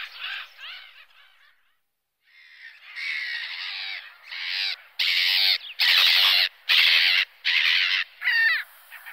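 A Black-headed Gull gives harsh, grating screeches, repeated roughly once a second in loud bursts with a few shorter, raspier notes between.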